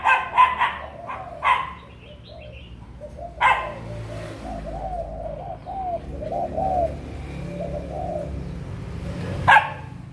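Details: Breeding spotted dove, recorded 6 December 2021, giving soft low cooing notes in a series mid-way, interrupted by loud sharp knocking or clattering bursts near the start and end, over steady background rumble.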